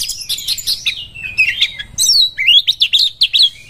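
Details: Kacer, the Oriental magpie-robin, looking for a rival to fight: a fast run of high chirps and thin slurred whistles, then a rising burst of quick, repeated whistled notes.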